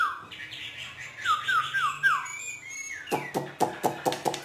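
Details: Caged Hwamei from northern Vietnam in 'hót thả' free singing: soft descending slurred whistles repeated several times, then a burst of sharp, rapid clicking notes.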